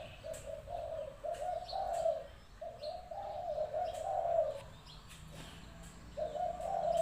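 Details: Spotted dove cooing, the kind of dove used as a decoy bird: a phrase of mellow, hoarse coos, each phrase lasting one to two seconds, with short pauses between phrases. Faint clicks and background hiss are audible.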